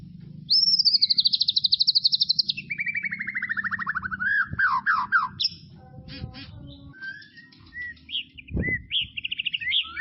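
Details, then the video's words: Tropical forest white-rumped shama delivers a loud, rapid, pulsing trill that slides gradually downward over about four seconds, then mixed whistles and scratchy notes, with a sharp low thump and background rumble. "SUARA KICAUAN MURAI BATU HUTAN TROPIS"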